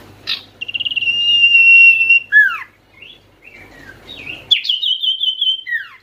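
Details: Common iora lure call to make quiet birds answer: a sharp note, then a long clear whistled tone with fast pulsing, a descending slur, scattered soft chirps, and a final high trill ending in a downward glide.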